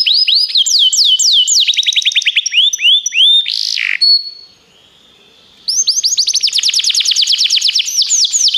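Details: Canary song for teaching other canaries: chains of rising and swooping whistles, a harsh burst, a short pause, then a dense fast trill resuming.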